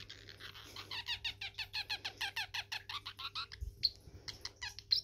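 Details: A pet parrotlet, dancing as it sings, gives a fast, scratchy chatter of squeaky notes, about four per second, ending in a few sharp high chirps; a person speaks quietly.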